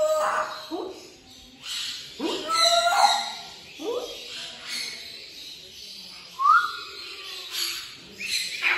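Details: Talking African grey parrot: short speech-like phrases with harmonic, voice-like syllables come roughly every second or two, and a clear rising whistled note appears near the end in a quiet indoor setting.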